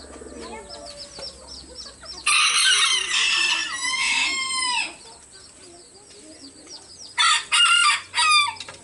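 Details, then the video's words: Loud, melodious rooster crowing from several birds that overlap one another. A long harsh crow slides downward at its end. Later come three short, choppy crow fragments, with faint clucking and background noise. "SUARA ASLI AYAM JANTAN BERKOKOK KERAS DAN MERDU"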